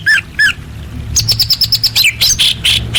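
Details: Female orange-headed thrush calling to males, played to coax quiet birds into singing: two separate whistled notes open, then a fast string of sharp, high chirps and harsher rising notes over a low background hum.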